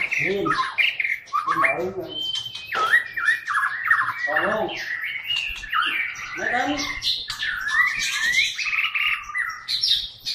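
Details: Loud chattering song from a Medan white-rumped shama, mixing harsh scratchy notes, rich fluting whistles and rapid rattles in an unbroken, highly varied flow.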